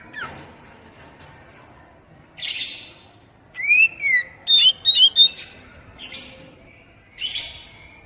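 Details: Oriental magpie-robin song, played to spur young, untrained captive birds to sing. Clear whistled slurs and rapid chirps alternate with harsh, scratchy bursts, over a steady low background hiss.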